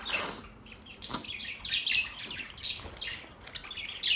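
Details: Budgies chirping: dense, high, scratchy warbling chatter with overlapping rapid chirps and buzzy twitters, several birds calling at once in uneven bursts.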